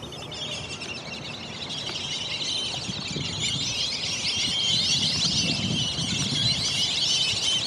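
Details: A group of Black-bellied Whistling Ducks waking up in the morning at Lake Elberta, giving a dense, continuous chorus of high, wavering whistled calls that overlap and swell slightly louder toward the end, over a low background rumble.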